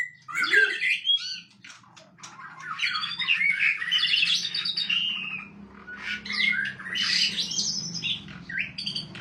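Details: On a bright morning a white-rumped shama sings a varied, jumbled song of warbled and harsher squawking notes in long continuous runs, over a steady low hum.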